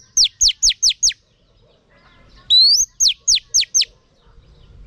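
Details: Female oriental magpie-robin calling to stimulate males: five quick, sharp, high whistles slurring downward, a pause, one longer rising whistle, then four more downslurred whistles at the same brisk pace, over a quiet background.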